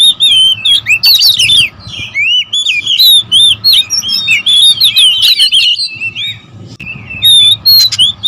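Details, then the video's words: Several kacer, or oriental magpie-robins, sing in a loud territorial squabble. Bright whistled notes and jumbled chirps tumble out in fast overlapping runs, with a brief lull past the middle. "KACER RIBUT"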